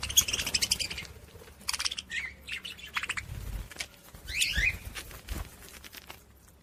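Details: Quieter budgerigar chatter meant to stimulate other budgies, with scattered squeaky chirps, short raspy bursts and a couple of quick rising whistles between pauses.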